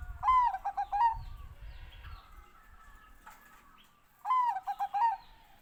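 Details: Bangkok-type zebra dove singing two phrases, each a downward-sliding opening coo followed by a quick run of short clipped notes and a final drawn note; low rumbling background early on.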